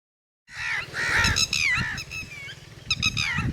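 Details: A red-wattled lapwing, recorded with its chicks, gives loud, strident, rasping calls in quick bursts of rising and falling notes over a low rumble of wind or handling noise.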